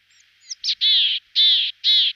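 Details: Willow tit of the nominate subspecies montanus giving harsh, nasal, buzzy drawn-out calls, three long grating notes after a couple of short thin lead-in notes, in a quiet setting.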